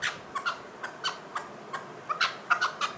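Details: Chukar partridge making a few scattered harsh chuck notes, some doubled, at an uneven pace.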